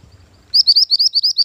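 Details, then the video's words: Mantenan gunung bird, a lure and master song for training, delivers a fast, even string of high, rising slurred notes, about eight in under a second, after a soft low hum. "Mantenan Gunung Pikat Gacor"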